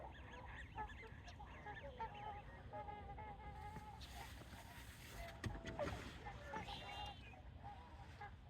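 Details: Swans at a wildlife refuge in Ridgefield, Washington, a dense chorus of nasal honking and bugling calls from many birds overlapping continuously, with low background rumble.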